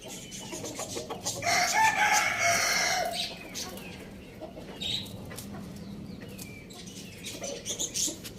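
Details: Rooster kept as a pet alongside hens, chicks and budgies gives a single drawn-out crow, somewhat blurred by surrounding bird chatter, followed by quieter clucking and chirps.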